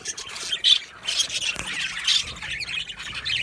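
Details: Colony of Australian budgies in an aviary: bursts of scratchy chirps and squawky warbles rise and fall over a steady background of flock chatter.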